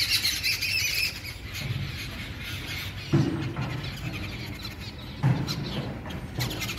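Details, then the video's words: A babbler flock, named as jungle babblers but also described as yellow-billed babblers, gives harsh, grating squawks with sharp bursts near three and five seconds over steady low rumble. "Jungle Babblers"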